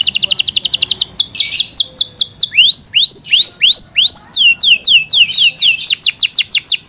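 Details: Yorkshire canary kept at home singing: a quick trill gives way to slower, rising-then-falling whistled notes, ending in another rapid series of high chirps.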